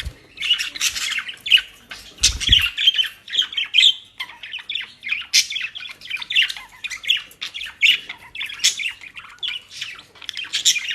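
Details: Pet budgerigars in the Den Haag region, Netherlands, happy with newly bought dry leaves and grasses, chatter steadily in rapid, scratchy squawks and warbles, with a brief low thump near the start.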